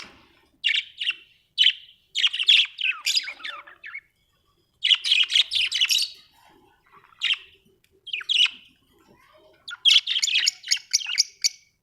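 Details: Happy budgerigar chirping steadily: clusters of bright warbled chirps and harsh chatter notes, repeated in several groups with short silences, ending in a fast series of sharp ticks.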